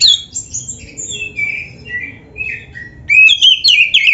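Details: Kacer, the white-rumped shama, singing for caged-bird training: quiet sliding whistles and soft chatter, then a loud burst of rich, fast warbling notes.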